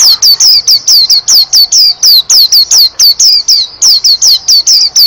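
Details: White-eye singing a rapid, continuous run of high, falling whistled notes, about four per second, each note sharp and clear, with no other sounds.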